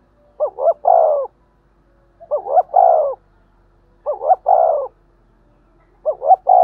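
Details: Spotted dove cooing thúc gù to lure other doves: four evenly sounding phrases about every two seconds, each with two clipped rising notes and a longer, lower falling coo, clean background.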